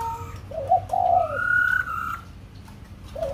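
White-crested laughingthrush song: mellow whistled notes, then a long, clear, slightly rising whistle held for about a second, with a faint low background hum.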